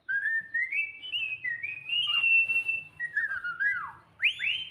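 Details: Cockatiel singing indoors: a continuous whistled melody of smooth rising and falling notes, ending in quick upward-sweeping whistles.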